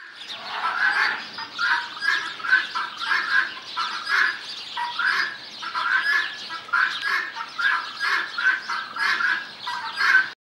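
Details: A captive pair of Cape griffon vultures at the ABQ BioPark zoo, mating and interrupted by another vulture, give harsh, raspy cackles and hissing bursts, roughly one per second, in a steady noisy squabble.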